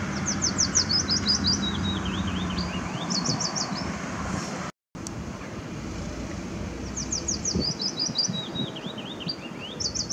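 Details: Willow warbler singing along Zeeburgerpad on 2 May 2016: two descending strophes of sweet, slurred whistled notes cascading down the scale, a few seconds apart, over a steady low rumble of traffic.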